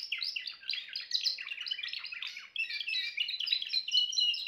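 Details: Timbrado canary singing a continuous, dense run of rapid chirps and rolling trills, repeated about four times per second, with a clear whistled note near the end; no other sounds.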